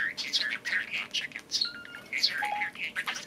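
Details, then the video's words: Pet talking budgerigar, one of two caged budgies playing on perches and cages indoors, said to say "Hey Siri"; rapid, scratchy warbled chatter in short bursts roughly every quarter second, with a few brief steady electronic-sounding tones. "Talking budgie says "Hey Siri""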